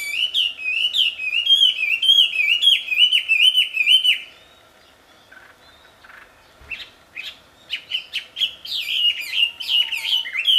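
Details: A wambi in the wild sings a loud, rapid warble of high, rising-and-falling whistled notes. It pauses briefly, then resumes with brighter, choppier phrases.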